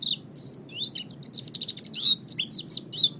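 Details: Oriental white-eye song meant as a training model for cage songbirds: sharp, high whistled chirps and quick rising and falling slurs, delivered in uneven clusters with brief pauses.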